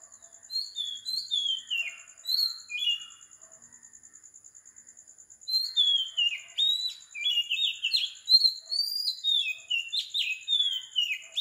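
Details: Oriental magpie-robin song recorded at 4 am in the morning in Sri Lanka, a tropical island: bursts of sweet whistled and slurred notes, a pause, then a faster run of varied phrases, with a constant high insect drone behind.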